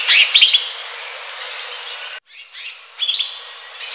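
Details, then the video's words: Wild greater green leafbird giving a loud burst of clustered shrill chirps, a quiet stretch of hiss and a brief dropout, then another short, fast twittering phrase. "SUARA CUCAK HIJAU DI ALAM LIAR"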